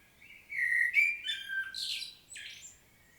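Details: Short common blackbird phrase recorded in Świnoujście, Poland, on 25 September 2022; a low fluty whistle slides into harsher, higher chattering notes, with a faint background hiss.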